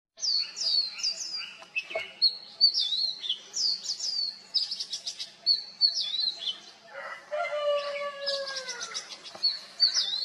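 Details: Oriental magpie-robin (Copsychus saularis) giving a varied, fast song of high whistles, trills and rapid chattering phrases, with a lower run of falling whistled notes near the end; it mimics other species such as juvenile Black-naped Oriole and Black Drongo.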